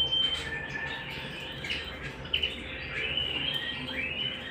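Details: Canary singing at home: varied whistled notes, short trills and several rising slurred sweeps, with a faint hum in the background.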